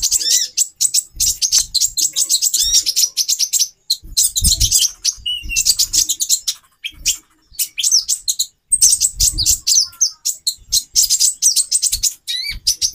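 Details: Long run of rapid, shrill chattering from a female konin (brown-throated sunbird), used as a lure to stir a male's mating drive; dense high twitters with short gaps and occasional low thuds.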